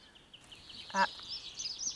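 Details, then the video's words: A Dunnock sings a thin, fast, high warbling jingle that runs steadily in the background while a man's voice speaks briefly over it. "un Accenteur Mouchet qui chante"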